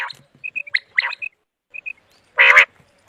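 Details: Common quail (Coturnix coturnix) giving short, high whistled notes in quick pairs and triplets, mixed with rough gravelly notes and one loud harsh squawk near the end; used for quail hunting.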